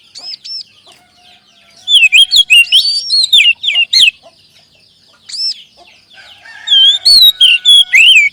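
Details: Oriental magpie-robin (kacer) song used as a prompting sound to get kacer singing and boost their confidence; loud, varied phrases of rich whistles, slurred notes and quick chattering bursts, separated by brief quieter pauses.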